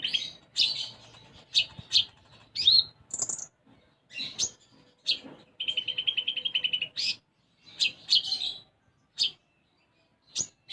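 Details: Konin (sunbird) in full gacor song of the isian gereja style. Dense scratchy chips and sharp flicked notes are punctuated by a very high buzz and a sustained rapid trill of evenly spaced pulses.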